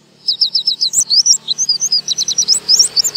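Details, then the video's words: Pleci, or oriental white-eye, singing in the buka paruh style: a fast, thin, very high string of chirps and slurred whistles that runs unbroken for about three seconds over a soft low hum. "PLECI BUKA PARUH"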